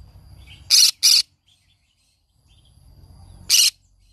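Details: Pet green-cheeked conure, described as singing every morning, gives three short, harsh, shrill squawks: two close together, then one more nearly three seconds later. A low hum lies underneath.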